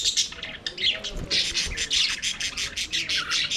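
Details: Budgerigars singing and playing in an aviary: rapid chattering of buzzy chirps and squawks, bursts repeating several times a second.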